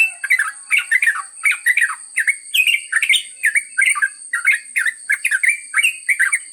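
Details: Yellow-vented bulbul in long ropel song, pouring out quick, gurgling, warbled notes in uneven clusters of two to four, nearly continuous, with a steady high whine behind it.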